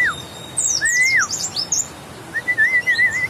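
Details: White-eye from West Java with a grey-white breast and yellow line: bursts of high, rapid downslurred chirps, plus lower clear whistled phrases, one long and wavering near the end.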